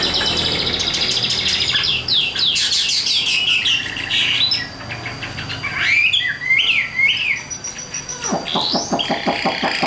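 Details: Tame young Chinese hwamei, newly arrived and not yet in full form, singing while its cage is carried by hand: dense high chattering trills, buzzy runs and looping whistled phrases, ending in rapid repeated clicks.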